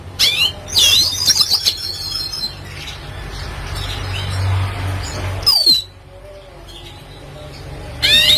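A red siskin sings high, rapid twittering phrases with buzzy trills and sharp chirps, in bursts separated by pauses, over a low steady background hum.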